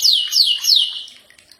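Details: Common iora song for training birds to answer: three quick, bright downslurred whistles, evenly spaced, fading out after about one second.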